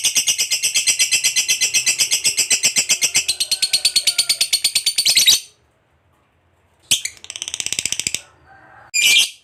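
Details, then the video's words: Lovebird fighter giving its long 'ngekek panjang' chatter to provoke other lovebirds: a fast, high, grating trill for about five seconds, then a pause, then two short shrill bursts. "KICAU LOVEBIRD GACOR NGEKEK PANJANG Bangkitkan EMOSI, Lovebird Yang DENGAR Nyaut BUNYI Seketika"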